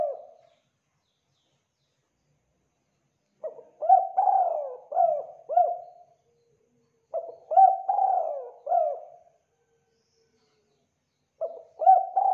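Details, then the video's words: Javan spotted dove (derkuku) giving a KUK 2 cooing pattern as a lure to make rivals answer: phrases of several soft, mellow coos, the middle note drawn out, repeated about every four seconds with silent gaps. "Derkuku Jawa KUK 2 Gacor Suara Rapat Tajam Pancingan Emosi Lawan Agar Cepat NYAUT"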